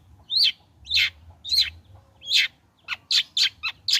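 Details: Long-tailed shrike, freshly moulted, in full song meant to coax other shrikes into singing: harsh high notes spaced unevenly at first, then a quicker run of sharp, clipped notes at the end.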